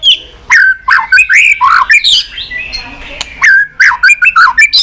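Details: Rich, varied White-rumped shama song used to rouse a weak-spirited bird. Loud swooping whistles and harsh squawky notes mix in quick bursts, with one short pause midway before another rapid, tumbling phrase.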